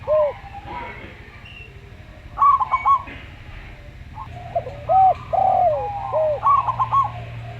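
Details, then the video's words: Local-type Zebra dove singing in a slow style alongside a calm Javan Spotted dove: scattered staccato trilled bursts and curved coos, with a long falling coo, over a faint low hum. "Perkutut Lokal Suara Slow"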